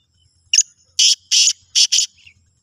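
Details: Black francolin calling: a rapid run of five harsh, grating, buzzy notes. A short first note is followed by longer rasping ones, all packed into about two seconds, against an otherwise silent background.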